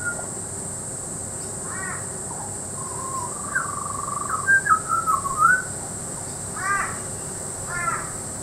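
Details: {'animal': 'butcherbird', 'caption': 'Butcherbird at Peachester, Queensland, singing a flowing whistled warble of sliding notes midway, framed by a few harsher, raspy calls and a persistent high-pitched drone.'}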